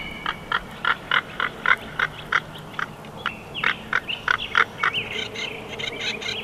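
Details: Bald eagle at the Big Bear Valley nest in June 2021, giving a long run of short, evenly spaced piping notes, about three a second, ending in higher squealing calls.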